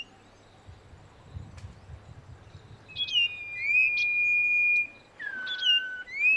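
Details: Common iora in a garden: clear whistled song with long level notes near high pitch, a sliding downward whistle, then a lower drawn-out tone, phrases lasting about a second each, with faint low hum underneath.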